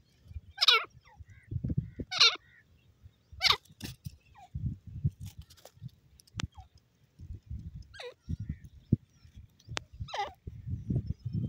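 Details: Grey francolin, known locally as teetar, giving a series of loud, high, downward-sliding calls spaced about one to one and a half seconds apart, over a steady low rumble and murmuring background noise.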